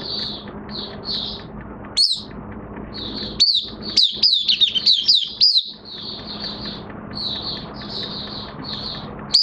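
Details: Oriental white-eye, kept bird in minor moult, recorded 3 June 2022, bursts into a dense flurry of rapid, piercing, sweeping high chirps mid-clip, framed by quieter high twittering and a low steady hum.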